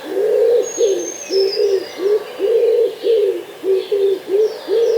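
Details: Common wood pigeon (Columba palumbus) singing in a Hampshire, UK garden in 2020: deep, soft, husky coos strung into a steady phrase at about two per second, with faint high whistles from another bird behind.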